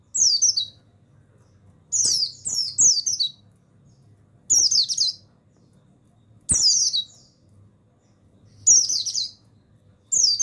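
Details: Male mountain white-eye of the buxtoni form, a masteran recording for stimulating other birds: repeated bursts of high, rapid, slurred twittering about every two seconds, some bursts doubled or tripled, over a soft low rumble.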